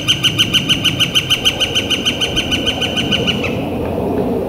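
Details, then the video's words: Northern flicker calling on a warm, clear April day in spring 2014: a rapid, even run of loud, sharp notes, about three per second, for three seconds, then stopping, with faint background noise. "Northern Flicker Calling and Drumming"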